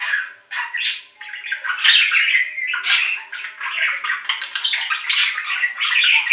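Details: Budgerigar in continuous rapid chatter: tumbling warbles, harsh squawks and short chirps running together without a break.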